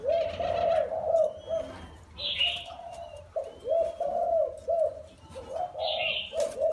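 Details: Spotted dove, wild-caught and kept caged for four years, coos in steady phrases of rounded, hollow notes with brief pauses between them. Another small bird adds sharp bursts of chirping twice.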